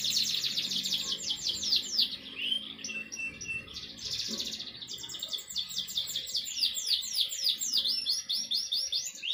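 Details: Canary in full morning song, a dense high rolling trill of rapid repeated notes, varied with short sweeps and buzzy phrases, continuous for about nine seconds with low background noise.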